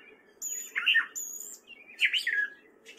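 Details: Gray catbird, a male singing in spring at Fairfield, Iowa, gives two separate burst phrases of tangled, squeaky warbling about a second apart, with a faint background hum.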